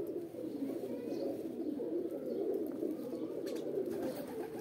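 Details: Mating call of pigeons, pet roller and homing birds: steady low, rolling coos from several birds merging into a dense murmuring drone, with little else heard.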